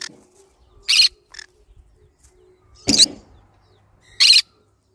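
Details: Harsh rasping squawks from a green-cheeked conure, short loud bursts at irregular intervals, one with a lower grating edge, quieter clicks and rustles between them.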